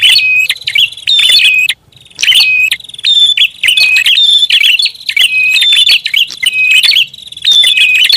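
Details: Loud prinia lure calling: rapid strings of sharp, metallic high chirps punctuated by a steady piercing whistle, delivered in short bursts with one clear pause near the start.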